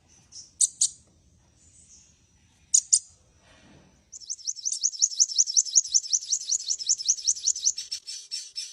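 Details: Sunbird song: a few sharp high chirps and a thin whistle, then a fast, even, very high trill of rapidly repeated twittering notes lasting about five seconds.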